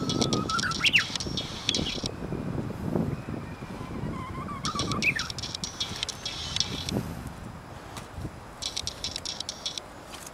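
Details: Japanese bush warbler singing in a camellia tree in Maizuru Park, 23 March 2020: two songs, each a held low whistle rising gently, then a sudden leap into a sharp high flourish, with steady traffic rumble and brief high hiss.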